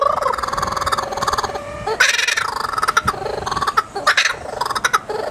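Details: A laughing kookaburra laughs back in reply to a person's imitation of its call: harsh chuckling notes in rapid bursts rising into loud, ringing cackles, then tumbling back down.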